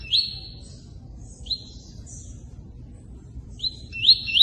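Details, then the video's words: Tui-tui singing in the 'cortando' style with pauses: a few long, high whistled notes that sweep upward, spaced well apart, plus a faint high chip, against the steady hiss of running water. "Tui Tui ( cortando canto ) com intervalo e som de água corrente."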